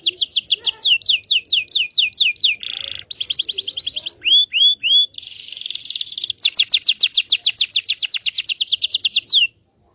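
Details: Local Indonesian canary song used to coax young canaries into learning to sing: rapid repeated downward-sweeping whistled notes, a buzzy trill, three rising slurred whistles, then a long fast rolling trill.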